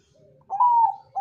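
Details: Zebra dove, Bangkok type, played as a lure to draw answers from other doves; a single long, steady, mellow coo held for about half a second, then the start of another.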